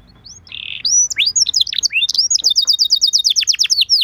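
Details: Canary lure song to prompt other canaries to answer: a buzzy opening note, swooping whistles, then a rapid even trill of short clipped notes.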